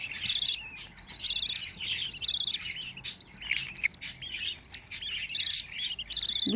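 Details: A group of fifteen budgerigar chicks together gives a jumble of high, harsh chirps. The calls come in irregular bursts, some with several voices overlapping.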